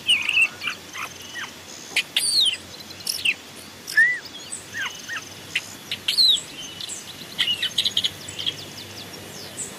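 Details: Long-tailed shrike recorded in a forest as a decoy or master song: varied short chirps, rising and falling slurred whistles, and sharp high notes in irregular bursts roughly every half second to second, over faint steady background hiss.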